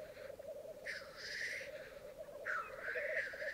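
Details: Morning lek of black grouse on a bog at Mykland, Norway, May 2022, twelve males with two females: throaty bubbling drones on steadily while two drawn-out hissing whooshes rise above it, the second stronger and longer.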